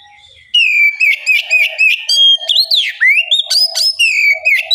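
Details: Oriental magpie-robin in full, vigorous song, used as bait to prompt other magpie-robins to sing in reply: loud, varied clear whistles, rising and falling slurs and quick chattering notes running continuously after a quiet start.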